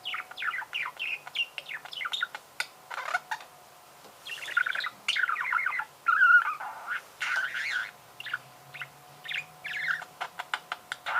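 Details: Budgerigar singing: a busy stream of short chirps, clicks and warbled harmonic notes in quick bursts, with brief pauses between phrases and a faint steady hum underneath.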